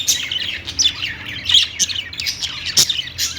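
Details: Budgies chirp in a brief, lively burst: bright whistled notes and scratchy twitters overlap without pause, with one sharp click late on.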